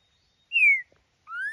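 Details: Green-winged saltator held in the hand, giving two clear whistles: a first note sliding gently downward, then after a short gap a second whistle rising steadily in pitch.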